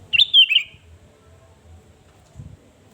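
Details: Energetic sooty-headed bulbul lure song for provoking rivals: opens with a rich gurgling whistled phrase, rising then dropping over half a second, followed by quiet with low rumbles and a soft thump.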